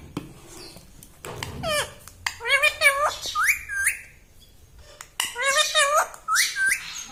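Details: Talking pet parrot that says "Mummy" in a small room: two bursts of rapid, high, wavering speech-like syllables with rising whistled slides, separated by a brief pause, plus light knocks.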